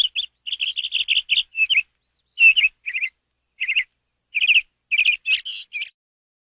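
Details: ['Canary singing in a rapid series of bright, high chirps and short trills, notes clustered in quick bursts with brief pauses between phrases, clean background.']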